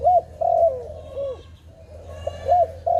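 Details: Dove calling, possibly for trapping, with a run of clear mid-pitched coos: short arched notes and longer falling notes in a loose phrase, with faint chirps of small birds in the background.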